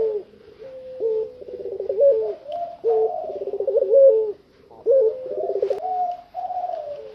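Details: A totally tame spotted dove, out of its cage, delivering a string of low, purring coos broken by rapid rolling trills and longer sustained notes, repeated in phrases about every second or two.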